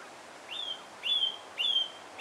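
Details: A song thrush (Turdus philomelos) in Alkmaar, Netherlands, repeats one clear, upslurred whistled note four times, about every half second, over faint background hiss.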